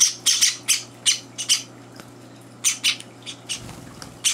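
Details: Java sparrow chicks, three days in a new home, at breakfast feeding time while older birds barge in; harsh high chirps in irregular bursts, grouped in twos and threes with gaps, over a steady low indoor hum.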